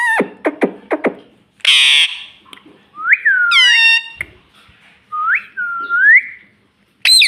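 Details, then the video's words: Talking pet parrot in a small room: a few clipped clicks, a burst of raspy screech, then clear swooping whistles that rise and fall, repeated in two pairs with short pauses. "Talking parrot - Mummy Mummy Bolne Wala Tota - bolne wala tota"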